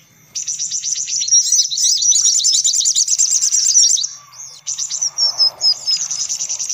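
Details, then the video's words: Sunbird calls as a lure: a loud, fast, high trilling burst lasting several seconds, a short gap, then clipped, sharp, rising chirps in quick succession. "Suara Pikat Burung Kolibri Paling Manjur"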